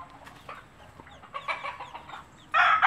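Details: Native hen with chicks making the clucking food call to show them food is good to eat; soft broken clucks, then a sudden loud harsh call at the end.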